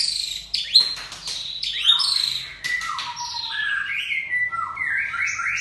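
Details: White-rumped shama of the Aceh type pouring out a continuous song of sharp clicks followed by long sliding whistles that step up and down in pitch.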